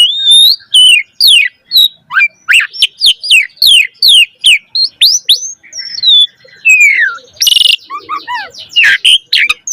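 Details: Javan pied starling singing a rich, varied song used to train young birds: a long, rhythmic string of sharp whistled notes sweeping downward, about two per second, broken by a brief harsh burst and chattering.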